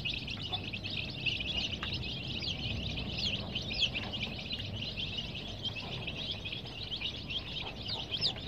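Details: Continuous shrill peeping from many young coloured chicks in care, the thin chirps blurring into a steady chatter over a broad low noise floor.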